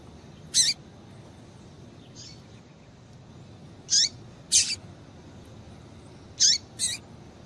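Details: Female double-collared seedeater calling to stimulate a male: high, brief chirps with falling tails, given singly and in close pairs with long pauses between.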